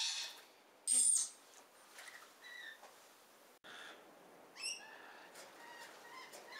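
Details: Rainbow lorikeets in a garden on the Central Coast, NSW, Australia, give a loud, harsh, high screech, then a second grating burst a few seconds later, with softer chirps and twitters between.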